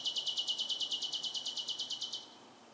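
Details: Bird singing at night: a rapid, regular rattle of about twenty bright high notes over two seconds, ending abruptly.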